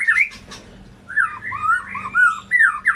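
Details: Brief white-rumped shama phrase used to coax non-singing birds: harsh squawky notes followed by slurred, warbling whistles rising and falling, over a low hum.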